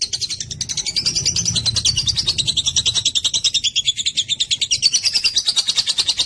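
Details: Long lovebird ngekek used to prompt other lovebirds to reply: a sustained high rattling chatter of quick repeated notes, slightly uneven in pace and loudness, continuing without pause over a faint low hum.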